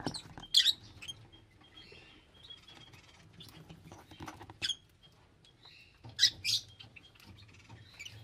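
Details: Lovebirds giving sharp, high squeaky chirps in short bursts near the start, middle and end, with quieter chattering and a faint low hum between them.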